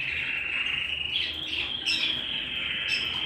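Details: Domestic canary singing indoors, holding a steady, unbroken rolling trill with a few higher sweeps layered on top; a soft low hum runs beneath.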